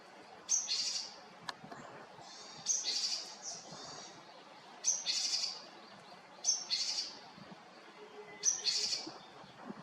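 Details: Japanese tit in Haenam, South Korea: faint, high-pitched thin phrases repeated about every two seconds against a soft background hiss.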